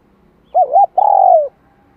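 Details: Decoy spotted dove cooing "2 hậu lỡ" to stimulate wild-caught birds: a wavering double-humped coo, then a long burry coo that slowly falls away, deep and mellow in a quiet setting.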